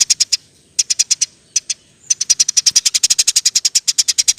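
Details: Eurasian tree sparrow giving 'roll tembak' song for training songbirds: short groups of fast high chirps, then a long unbroken stream of about twenty-five evenly spaced sharp chirps.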